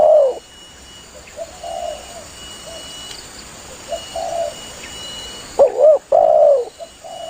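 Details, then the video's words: Spotted dove calling its companions, used as a hunting lure: mostly quiet, distant soft coos for several seconds, then one loud close phrase of a wavering double note and a long falling coo near the end. "Suara burung tekukur Gacor memangil temannya"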